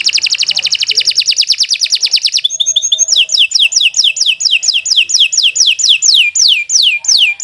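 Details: Canary song in long, continuous 'gacor' style, used as a lure and tutor recording to get other birds singing: a very fast rattling trill, a brief buzzy twitter, then loud whistled downward-sweeping notes repeated about three per second.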